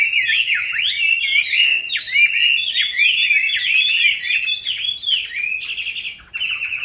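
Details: Caged Chinese hwamei, caught wild and kept into its fifth year, singing a loud, fast run of varied whistled phrases. Many phrases slur up and down, and a steady trilled phrase ends the run.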